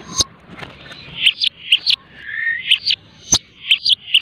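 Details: Long-tailed shrike kept as a hand-raised cage bird gives a few bright high chirps and a soft sliding whistle between sharp clicks.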